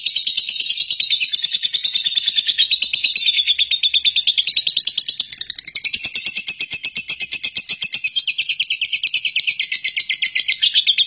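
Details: Lovebird called a fighter, chattering to goad other lovebirds into response and song. A long, high, buzzy stream of rapid pulses, briefly softer in the middle, then strong again.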